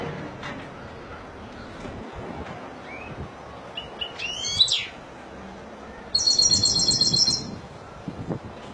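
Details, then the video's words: Spanish goldfinch singing in the Malaga style: a short high twitter near the middle, then a bright buzzy trilled phrase of about a second and a half, over a quiet background hiss. "لعشاق تغريد الحسون الاسباني ( مالاقا)"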